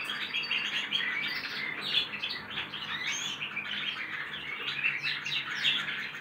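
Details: Young goldfinch and canary hybrid birds practising their song together: unbroken chatter of quick warbling phrases, sharp chirps and short trills, with several louder accented notes standing out above the steady twitter.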